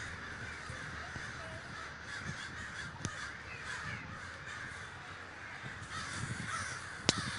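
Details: Many crows at a great communal gathering in Davis, California, calling together in a steady harsh cawing throng, broken by two sharp clicks near the third and seventh seconds.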